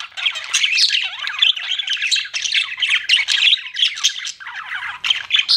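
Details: Budgerigar kept as a pet chattering nonstop with harsh, scratchy warbles and sharp squeaks in quick, uneven bursts.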